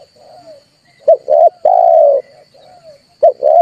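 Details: Cooing of a red turtle dove, played to excite birds for trapping: faint soft coos in the background between louder phrases of clipped notes and a long steady hoot.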